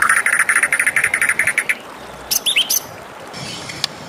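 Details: White-rumped shama singing in the morning: a rapid series of short repeated chirps for nearly two seconds, then a pause and a few louder sharp notes with faint background hiss.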